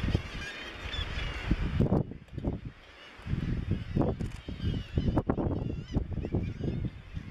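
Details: Razorbills at Bempton Cliffs RSPB seabird cliffs, East Yorkshire, 21 May 2017: deep, rasping growls and grunts in quick irregular bursts, with a faint murmur of other seabirds behind.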